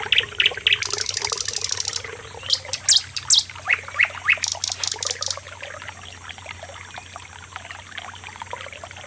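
Common nightingale singing a rich, varied song: high clear whistles and chirps broken by fast, harsh buzzing rattles, with short phrases delivered in quick succession.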